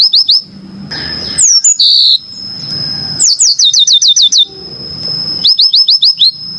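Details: Yellow-fronted canary master song: series of quick high upslurred chips in runs of four to eight, a slurred whistle and a buzzy note, separated by short pauses, over a thin steady high tone and low murmur.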